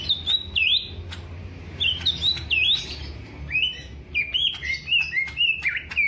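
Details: Greater green leafbird (cucak ijo) of the Alas Purwo population, Banyuwangi, kept as a fighting-character songbird, singing a series of clear whistled notes with sharp upward and downward slurs, repeated in rapid phrases with brief pauses.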